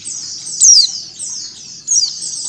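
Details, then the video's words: A female Mountain white-eye calling is mixed with the sound of a white-eye flock, used to prompt birds to start singing: a steady, high, thin chatter of overlapping twittering notes with two louder bursts of sweeter, sliding chirps. "PLECI BETINA ngecal + suara pleci ombyokan"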